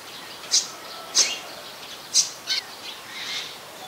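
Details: Olive-backed sunbird in mangrove forest at the Sirinart Rajini centre, giving four high, clipped chip notes about once a second, the last pair closer together, followed by a softer fading note.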